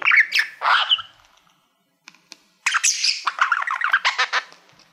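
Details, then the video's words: Male pet budgerigar singing at a reflective plaque it treats as a mirror: harsh squawky notes open, then a brief quiet with faint clicks, followed by a rapid, scratchy chattering warble. "Budgie singing to Youtube Playbutton"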